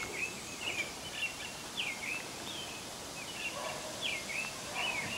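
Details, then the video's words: An American robin sings its "tû-tu tûlulû" song, carolling in short, slurred whistled phrases about two per second with brief pauses, over a steady background hiss. "American robin singing. merle d'amérique en train de chanter"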